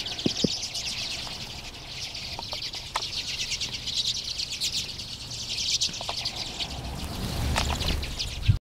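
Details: Large overwintering flock of Common and Hoary Redpolls in a yard in Marathon, Ontario, Canada, in March: steady overlapping chatter of high, buzzy twittering notes, low background rumble throughout.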